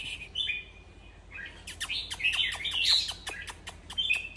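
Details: Red-whiskered bulbul, heard to rouse other bulbuls: a thin whistled note, then a lively run of sharp ticking clicks and bright, warbled chirps, ending in short whistles.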